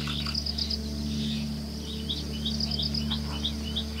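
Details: Ashy-crowned sparrow-lark, also called ashy-crowned finch-lark, giving a run of short, high, clear chirps, partly rising, with a brief buzzy trill at the start. Steady low hum and faint insect noise continue underneath.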